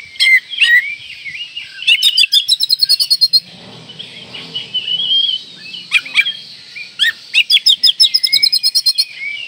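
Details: Oriental magpie-robin in breeding condition, used to provoke rivals: fast rhythmic series of sharp chattering notes, a brief softer warbled passage, then renewed rapid repeated notes mixed with clear whistles.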